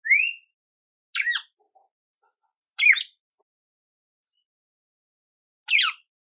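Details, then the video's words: Red-cowled cardinal (galo-de-campina) singing short, bright, slurred whistled phrases: one rising clear note, then three separate chirpy notes spaced a few seconds apart over silence. "GALO DE CAMPINA CANTO CARDEAL - CANTO GALO DE CAMPINA CARDEAL CANTANDO MUITO"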